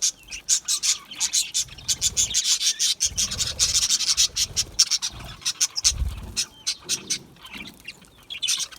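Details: Small parrots known as budgies give a rhythmic string of harsh, raspy chirps, each short burst repeated several times a second, with soft low rumbles underneath.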